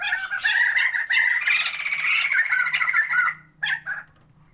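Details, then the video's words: Pair of captive white-crested laughingthrushes from Sumatra, kept to breed, in a sustained loud chorus of cackles and whistles for over three seconds, followed by two short separate calls. "Mencoba MENANGKAR Pasangan POKSAY JAMBUL SUMATERA GACORRR"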